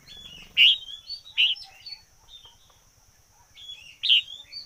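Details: Decoy red-whiskered bulbul delivering loud clear whistled phrases, a few bright notes with slurred tails separated by pauses, a low droning hum and faint ticking beneath, plus a high steady whine.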